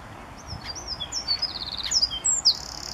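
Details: One of several Eurasian wrens singing at RSPB Saltholme on the morning of 1 April 2014, Canon SX50 HS: a brief burst of very high trills and thin whistles over a noisy, rustling background.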